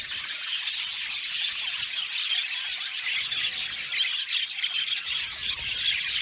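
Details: An aviary flock of budgerigars keeps up a thick wash of high-pitched chirping and chattering, mixed with occasional harsher squawks, unbroken across the whole stretch.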